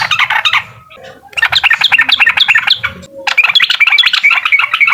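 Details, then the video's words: Yellow-vented bulbul giving uklik song to stir up a rival, with three rapid chattering bursts of bright bubbly notes separated by short pauses, the last ending in higher whistled twitters. "SUARA TRUCUKAN UKLIK BIKIN LAWAN EMOSI DAN LATAH!!"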